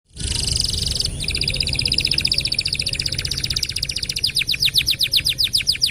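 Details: Canary song for training other birds: a long run of rapid repeated notes, first a dense buzzy trill, then faster sweeping downslurred notes growing louder toward the end, over faint low background hum.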